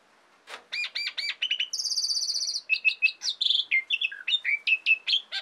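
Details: Loud Asian pied starling song for provoking and teaching songbirds: a few stuttered chirps, a sustained high buzzing rattle, then a quick run of varied whistled notes rising and falling.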